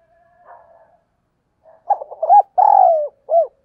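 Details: Spotted dove coo meant to provoke a fight, in the chiêu gù style: a faint quiet coo, then a stuttering run of short low notes, a long sustained coo and one final clipped note.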